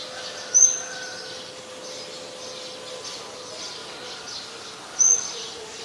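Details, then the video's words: Scarlet-backed flowerpecker, very common resident of Ubon Ratchathani, Thailand, 5 February 2020: a pair of sharp, high, short calls separated by about four seconds, with a steady low hum and faint insect-like shimmer between. "นกสีชมพูสวน (Scarlet-backed Flowerpecker)"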